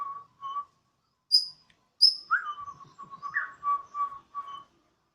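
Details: Home-kept Borneo White-rumped shama singing eagerly on a terrace, in a siren-like style. Repeated mid-pitched whistled notes broken by a few sharp, very high chips and a short rising slur.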